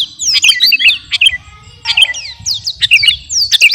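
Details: Sooty-headed bulbul (garuda type) kept in captivity, in full song and described as ready for competition. Dense, rapid chirps and looping whistles follow one another with hardly a break, over faint low background noise.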